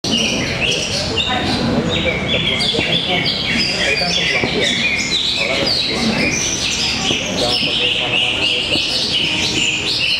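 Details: Greater green leafbirds in a singing contest at an arena in Tapos, Depok. Dense, overlapping high whistled and chattering phrases run continuously, with people's voices and crowd noise in the background.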